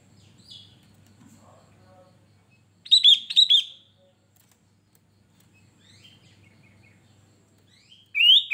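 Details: Sooty-headed bulbul, a male kept in a cage, delivers two quick bubbly whistled bursts at the third second, then quiet with faint chirps, ending on a loud rising whistled phrase.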